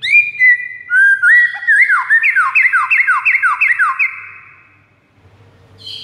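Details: Shama master song aimed at rival white-rumped shamas: clear whistled opening notes followed by a fast run of repeated, sharply falling slurred notes, then near silence.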